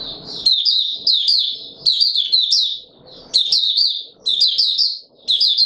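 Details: White-eye opening into song in warm humid weather: high, fast twittering phrases with sharp accented starts recurring every second or so, over occasional soft low rustling sounds.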